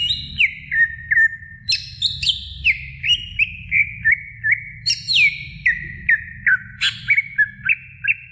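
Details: Greater green leafbird in full, vigorous song, used as a training recording for other birds: clear whistled notes that slur downward, given in quick, uneven phrases, with a low steady hum underneath.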